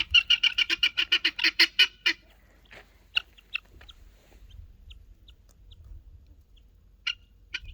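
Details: Helmeted guineafowl (Numida meleagris), typical chirping mixed with an annoyed bird: a rapid burst of about a dozen harsh, grating chatters in two seconds, then sparse sharp chirps at intervals.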